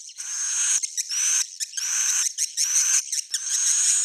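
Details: Swiftlet chatter from an old-style, proven recording: high buzzy twittering in bursts of about half a second, broken by short pauses, with faint rising whistles inside each burst.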